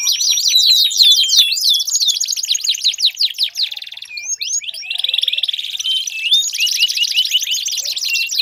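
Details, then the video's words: Long-singing canary, used to stimulate a silent bird: dense high trills shifting between phrases, a brief looser passage of scattered notes in the middle, then fast rolling trills resume. "Pancingan Ampuh Kenari Gacor Panjang, 4 Suara Burung Kenari Ampuh Untuk Pancingan Kenari Macet Bunyi"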